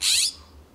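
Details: In a Pacific Grove, California backyard, a California Scrub-Jay on a wooden fence answers a distant jay with one loud, harsh, raspy note about a third of a second long, over a faint low hum.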